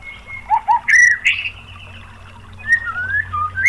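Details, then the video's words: Song of a white-rumped shama used as a lure to prompt other shamas to sing: two low hooked notes, a harsh rich burst, then softer drawn-out whistles rising and falling. "BIAR IKUT NEMBAK !!MURAI BATU jadi GACOR BONGKAR MATERI TEMBAKAN ¦ PANCINGAN MURAI ¦ SHAMA BIRD"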